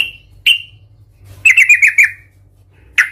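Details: Trucukan, the sooty-headed bulbul, singing an aggressive 'Tarung Garuda' style song meant to provoke rivals. Two lone sharp notes, then a quick chattering run of five or six notes and a final harsh chirp, with faint hum.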